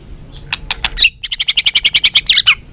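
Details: White-rumped shama in balak 6 song, used as a bird-catching lure: a few sharp notes, a brief pause, then a rapid even series of about fourteen buzzy repeated notes ending in a downslurred flourish.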